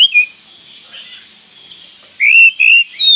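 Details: Oriental magpie-robin call said to stir up every other magpie-robin within seconds: a clear whistled note that dips, then after a pause a burst of rising and falling whistles near the end, over a steady hiss.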